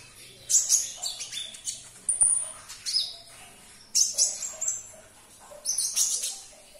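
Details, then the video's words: Olive-backed sunbird singing, used to coax a silent caged bird into song. Shrill high twittering phrases of quick sharp notes and thin whistled slurs come in clusters about a second apart, with quiet gaps between. "Putarkan 1 menit saja video ini KONIN anda pasti langsung nyaut"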